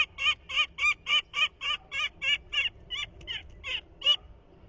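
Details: Young peregrine falcon in its nest, 2023, trying its father's call for the first time after hearing it a few days earlier: a steady run of harsh, nasal notes, about four each second, slowing and fading slightly toward the end.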